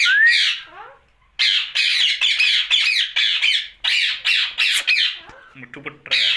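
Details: Rose-ringed parakeet, a pet ringneck parrot, talking at night indoors: a harsh, scratchy run of squawking, word-like bursts with short gaps, opening with a rising whistled note and ending in softer chatter.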